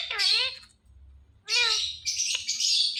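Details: Pet talking ringneck parrot imitating sounds: two harsh, nasal, voice-like bursts with wavering harmonics, then a raspy high squawk, with a quiet low hum underneath.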